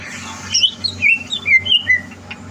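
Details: Greater green leafbird kept in a cage for singing competitions, 30 November 2022; a string of separate clear slurred whistles, some rising and some falling, spaced about a quarter second apart, with a low droning hum beneath.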